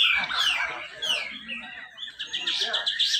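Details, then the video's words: Grey-cheeked bulbul at a North Kalimantan songbird competition, its tight song used to stimulate other birds. Loud falling whistled notes open, then softer, scratchy twittering follows. "cucak jenggot besetan rapet"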